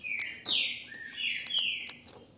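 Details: A captive green-winged saltator in Brazil, recorded on a phone, gives a short burst of slurred whistles sliding down and up, with a hiss and faint knocks under it.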